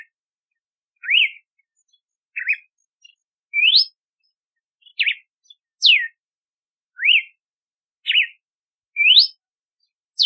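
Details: Red-cowled cardinal song of varied whistled notes, about one every second: short rising slurs, upward sweeps and sharply descending whistles, bright and clear against a silent background.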